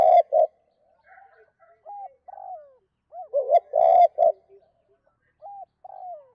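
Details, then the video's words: Spotted dove calling in the 2 cốt style to provoke wild doves: loud clipped coos alternate with softer falling notes, two full phrases within a few seconds. "Chim cu gáy 2 cốt và thúc lợi cốt kích bổi"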